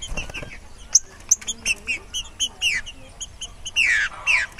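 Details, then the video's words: Green-winged saltator (Saltator similis), a loose bird singing hard, gives loud, clear whistled notes in quick phrases that grow fuller and richer toward the end, over a faint low background hum. "TRINCA FERRO DESTRUINDO SOLTO"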